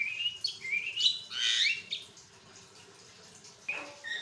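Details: Javan myna continuous song to trigger other mynas into singing; quick whistled and rasping notes run together, then a quiet gap before short calls resume.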